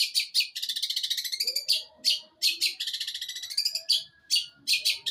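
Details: Mimicking other birds, an eight-month-old long-tailed shrike from Jember, East Java, mixes rapid buzzy rattles with isolated harsh scratchy notes, plus faint lower chatter underneath.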